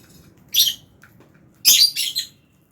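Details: Lovebirds, Fischer's and albino, kept together in an aviary colony while eating food. Two bursts of shrill, harsh high chirps: one short, then a longer double burst. Only a low hum lies beneath.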